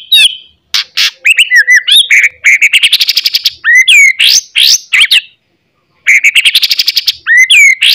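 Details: Loud, dense White-rumped shama song used in the morning to provoke other shamas: fast medleys of whistles, buzzy trills and sharp chattering notes, broken by short silences.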